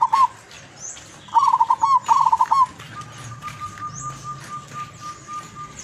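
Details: Wild-caught local zebra dove from Tuban, East Java, singing actively with long melodious phrases: rapid rolling trilled coos near one pitch. Later a steady thin whistle and faint chirps from other birds are heard.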